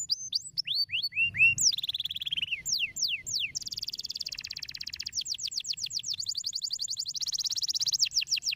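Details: Canary song used as stimulating song for other canaries: loud whistled downslurs, then rapid buzzy trills and tours of repeated sweeping notes, fast and varied, with a faint low rumble beneath.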